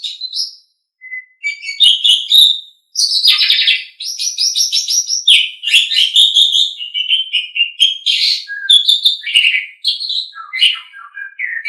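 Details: Tutor song of an Asian pied starling for pet birds: a long, rambling run of harsh chatter, squeaky whistles and downward-sliding notes after a few short opening calls, otherwise clean.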